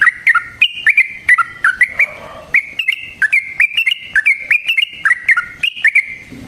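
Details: Yellow-vented bulbul in long, rolling 'ropel' song used as a lure for trapping: quick bubbly two-pitch phrases, dropping then rising, repeated almost without pause, with sharp clicks between notes.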